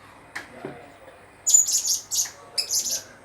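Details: Blue-crowned hanging parrot calling in a quick run of sharp, thin, high-pitched chirps, grouped in three or four bursts after a couple of soft clicks, over a quiet background.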